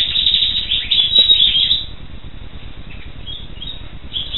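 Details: Black siskin (Carduelis atrata) giving a quick, high twittering run of chirps for about two seconds, then only faint scattered notes over a low background rumble.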